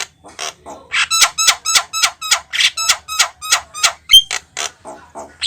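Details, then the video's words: Javan myna singing hard in a lure recording: a steady, fast chain of buzzy, clicking pulses, about three each second, broken near the end by one piercing whistle. "JALAK KEBO GACOR TERBARU!!pemikat burung jalak paling dicari"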